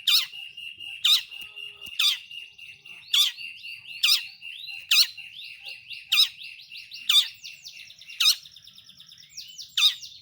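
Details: Long-tailed shrike (pentet, cendet) lure song: loud, sharp downslurred notes about once a second over a steady whistled tone, with rapid chattering warbles in between.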